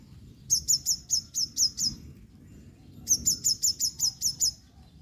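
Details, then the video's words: Rain-drenched female yellow-bellied sunbird drying herself, calling in two rapid runs of about eight piercing high ticks each, evenly spaced, with a brief pause between runs and faint low ambient noise. "sunbird calling"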